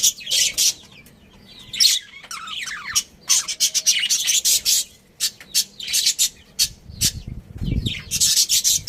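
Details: Budgies of a breeding pair chirping in short, noisy, high bursts separated by brief pauses, with some warbled notes and a low rumble near the end.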